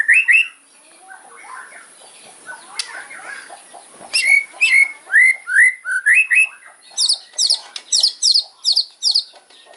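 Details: Kretekan fighting song of a white-rumped shama, meant to provoke rivals. Soft mixed twittering opens into a run of loud, upward-swept whistled notes, then rapid high crackling clusters repeated steadily.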